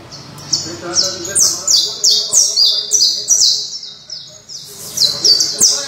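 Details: A Criollo canary sings rapid repeated high whistles, each note sweeping downward, delivered about three per second in a rolling sequence with a faint low background hum.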